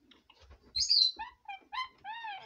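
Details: Bedtime jabber from a pet female red lorikeet: a loud, sharp, falling squeak, then a run of short nasal, harmonic chattering notes, some rising and falling like mimicked talk.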